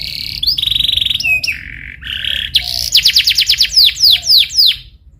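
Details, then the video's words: Lure canary song to prompt singing: level whistles stepping down in pitch, then a run of loud, sharply descending slurred notes repeated about four times a second. "HANYA 15DETIK KENARI LANGSUNG NYAUT ‼️ PANCINGAN Cuit Cuit Cuit Kenari Belajar Bunyi gacor ngerol"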